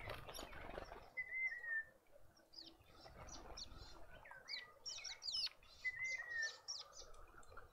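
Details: At a garden bird feeder in suburban Pretoria, South Africa, Dark-capped bulbuls join other birds: a falling whistled phrase twice, between busy bursts of sharp high chips and tweets, plus soft wing flutters.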